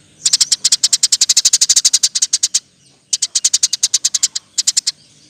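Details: Eurasian tree sparrow, rapid 'roll tembak' master song for teaching songbirds; a loud, fast machine-gun string of about twenty-five high chips, a short pause, then two more quick volleys.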